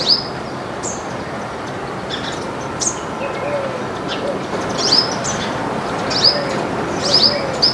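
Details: Flock of baya weavers at grain in a backyard: bright, sharply rising high chirps, some doubled, spaced a second or more apart, with a steady noisy background hiss.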